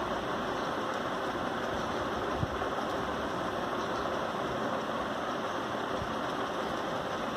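Steady broadband rumble and hiss, like traffic or rain, fills the recording with no animal calls heard.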